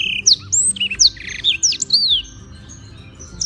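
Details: Daily song of a black-throated canary from Beng, Gianyar in Bali, kept as a tutor bird: sharp high slurred whistles and a short buzzy trill in the first two seconds, then a quieter pause.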